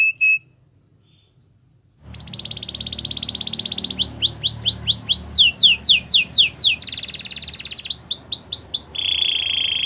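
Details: Canary song for training: a short whistle, two seconds of quiet, then a loud buzzy trill, runs of repeated sweeping notes, a rattling roll and a lower steady trill.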